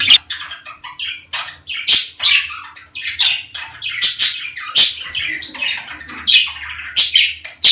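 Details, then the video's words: Budgerigars, sound meant to encourage mating; continuous lively warbling chatter of chirps, squeaks and buzzy squawks, punctuated by sharp clicks about every second, loud and close. "صوت يحفز طيور البادجي على التزاوج"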